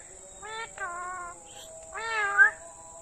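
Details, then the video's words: Pet parrot, called mithu, talking: two or three harmonic-rich voiced syllables, a short flat note then a longer wavering phrase with a brief squeak at the end, over a steady high hiss. "Best talking parrot video"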